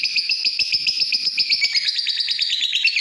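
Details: Rapid, high-pitched twittering from a lovebird, a dense stream of short scratchy notes that drops slightly in pitch and becomes more broken in the second half.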